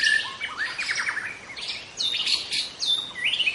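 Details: Wild young White-rumped shama in forest giving a rich, fast song of sliding whistles, rising notes and sharp chirps, loud and continuous, over faint insect hiss.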